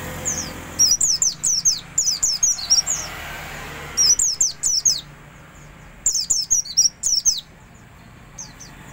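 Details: An Oriental white-eye, recorded as a tutor so other white-eyes pick up soft twittering, gives high, thin notes in quick chattering bursts of four to six, repeated in three runs with short pauses, over a quiet background.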